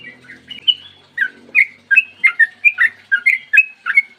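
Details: Long-running 'ropel panjang' song of a Sooty-headed bulbul, recorded in the morning as a lure to make other bulbuls sing: after a soft start, steady series of bright, slurred whistles with quick upward and downward flicks.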